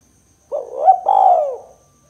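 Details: Single 'kuk 2' coo from a spotted dove, used to lure and prompt birds: a low hooting start, a quick upturn, then a long coo gliding downward and fading.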